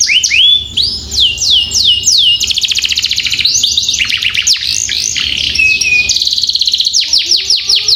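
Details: Long-rolling canary song meant as a master for young birds learning to sing: sweeping whistled slurs, a fast buzzing trill, varied warbled phrases, a held pure whistle, then quick repeated downward notes.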